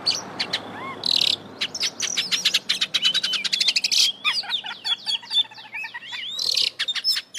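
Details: Kacer, the Oriental magpie-robin, singing 'gacor full isian': dense, fast bursts of sharp high chips and clicks mixed with looping whistles and buzzy bursts, varied throughout with hardly a pause.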